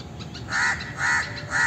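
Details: Three hoarse, evenly spaced caws from an Indian crow, each about half a second apart, rough and nasal, with quiet gaps and faint background hiss between them.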